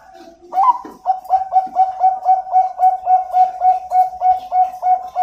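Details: Farm-bred zebra dove of the Bangkok line from Pasuruan, East Java, Indonesia, singing a short rising introductory coo followed by a long, steady run of around seventeen evenly spaced cooing notes at the same pitch.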